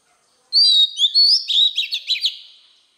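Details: Wild-voiced song of an Oriental magpie-robin, used to rouse newly caught birds: clear rising and falling whistles followed by a fast series of short, sharply down-slurred notes fading out.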